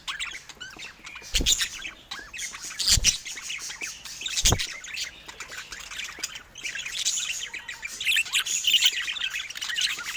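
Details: Adult budgerigars in a home setting give constant shrill, chattering warbles and scratchy squawks that rise and fall in waves, broken by a few soft knocks.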